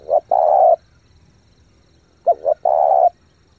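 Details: Caged spotted dove cooing to excite other decoy birds: the tail of one phrase, then a complete one of two short clipped notes followed by a long, even, hoarse coo.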